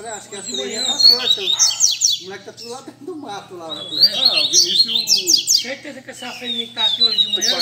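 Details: Several kept double-collared seedeaters singing at a Sunday-morning meet-up among friends in Brazil, bursts of fast, high, sweeping notes and trills overlapping, returning every few seconds, with male voices chatting underneath.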